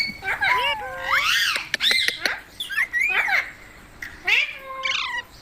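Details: Green parrot producing arched, swooping whistles and short nasal squawks, several rising then falling, spaced with short quiet gaps.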